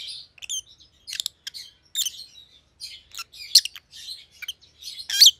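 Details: Two captive rosy-faced lovebirds, white-headed opaline mutations, make a busy stream of high scratchy chirps and squeaks in uneven clusters, a louder shrill note near the end.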